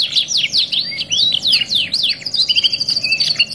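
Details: Canary (kenari) song in a 2-in-1 masteran therapy recording: swooping whistled notes at first, then a thin high buzzy trill that holds steady to the end, over a faint hum.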